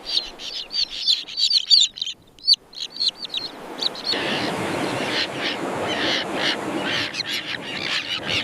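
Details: Common terns in a breeding colony: many harsh, scratchy high calls overlap in a dense chorus for the first four seconds, then fade into a steady rushing wash of wind or surf with fainter calls above it.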